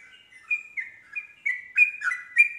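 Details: Yellow-vented bulbul singing to set off other bulbuls: a brisk string of clear, slurred chirps and short warbles that grows louder toward the end, with bright accented notes every quarter second or so.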